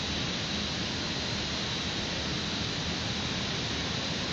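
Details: Steady broadband rushing noise, like wind or distant water, fills the recording with no animal calls heard.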